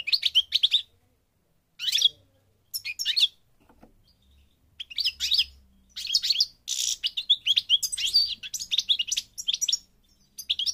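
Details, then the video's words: European goldfinch, parva from Morocco in North Africa, starting with separate short twittering bursts that merge into a sustained, quickly paced jingle of chirps and buzzes. "The Goldfinch's Song North Africa - Parva Morocco Bird Song"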